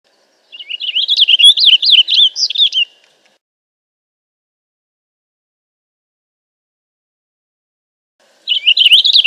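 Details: Song of a purple finch: a lively, rolling warble of quick up-and-down whistled notes lasting about two seconds, followed by a long pause, then another phrase begins at the end.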